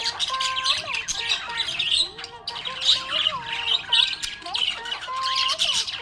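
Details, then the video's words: Budgerigar in a happy mood, giving continuous busy chatter of squeaky chirps and harsh squawks over steady, bending lower notes. "Happy budgie chirping sound"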